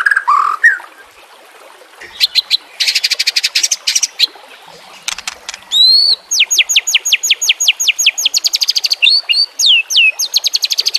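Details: White-rumped shama song meant for training caged birds, with trickling water: after low opening whistles, fast high rattles and long runs of sharp repeated upswept notes.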